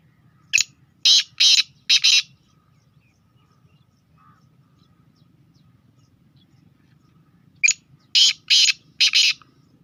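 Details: Speeder-type Sindhi black francolin repeats its grating call twice: each phrase is a short click-like note followed by three harsh buzzy bursts, the phrases roughly seven seconds apart with near silence between.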